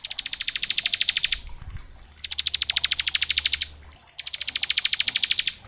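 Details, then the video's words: Bar-winged prinia singing for young birds to learn from: three long bursts of fast, high, buzzy trilled notes, each about one and a half seconds, separated by short pauses. "Suara Ciblek gacor ngebren syahdu buat Masteran ciblek ngebren variasi"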